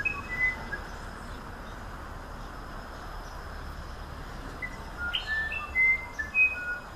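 A musician wren gives pure, flute-like whistles at varied pitches, spaced out and quickening near the end, over a steady background hiss.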